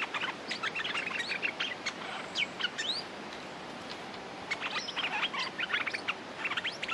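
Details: Streak-eared bulbul, a territorial male set to fight, delivering bursts of sharp chirps and rapid twittering notes with a couple of clear rising whistles midway, against constant noisy rural background.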